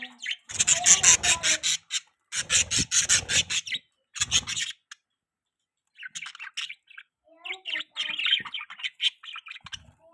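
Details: Pet budgerigar mating sounds: bursts of buzzy, scratchy chattering and rapid chirps, grouped into clusters of pulses about a second long, then softer twittering warbles after a short pause.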